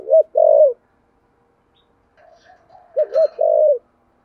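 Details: Spotted dove with a cooing style locally called thổ sấm, urgent thúc gù cooing. Two low coo phrases about three seconds apart. Each is a quick doubled note followed by a longer, sustained, slightly falling coo, with soft murmurs between them.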